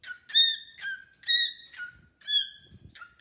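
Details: Pet cockatiel singing with a new companion: a steady run of bright whistled note pairs, each flattening into a lower slur, repeated about once a second, with faint low clicks in the background.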